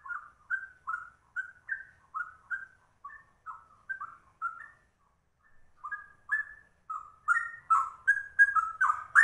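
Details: Rapid ropel-style song of a straw-headed bulbul, called cucak rowo: short rich whistled phrases around the middle pitch, each bending down, repeated over a second a time. There is a brief pause near six seconds, then a louder, denser burst of warbling.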